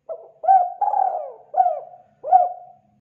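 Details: Tekukur, or spotted dove, calling in a lure recording: a low introductory coo, a rounded hoot, a long burry coo gliding down, then two short downslurred coos, clear and without background noise.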